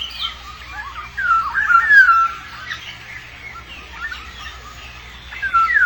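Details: Black-naped oriole raising chicks: a run of softer slurred whistles and chattering notes building to a clearer descending fluted phrase, then quieter, scattered calls and a final whistled slur.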